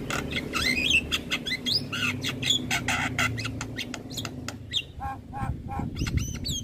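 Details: Vocal Javan myna on a training recording for young mynas, giving a dense run of harsh squawks, creaky chatter and brief upward whistles over a low background drone.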